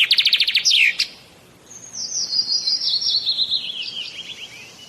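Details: A Bangladeshi common myna (shalik) gives a quick buzzy rattle ending in a sharp downslur. A gap follows, then a long, gradually descending, wavering chatter of linked notes.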